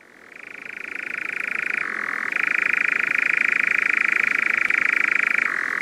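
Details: European nightjar (Caprimulgus europaeus), a crepuscular insect-eater, churrs in a long, unbroken insect-like mechanical trill that shifts between a higher and a lower pitch every few seconds.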